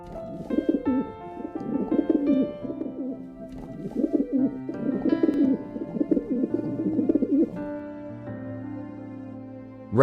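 A pigeon gives low, throaty coos in soft rolling phrases, with faint music underneath.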